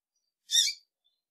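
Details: Female double-collared seedeater (Sporophila caerulescens) gives one short, harsh, buzzy high-pitched call note, about a third of a second, against a silent background.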